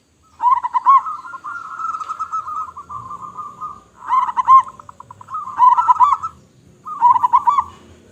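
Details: Local zebra dove, a loud, frequently singing bird, repeating burbling coo phrases: a long purring trill of rapid notes, then three shorter bursts of bouncing notes spaced by short silences.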